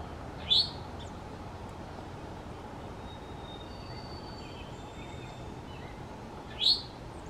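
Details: Eastern towhee in a North Carolina mountain backyard in the morning, foraging on the lawn: two short, sharp, high rising whistle notes about six seconds apart over a steady low background hum.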